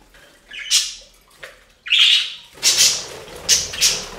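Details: Pet budgies bathing at a fountain, loud sharp chirps and squawky notes in irregular bursts, several high calls close together near the end.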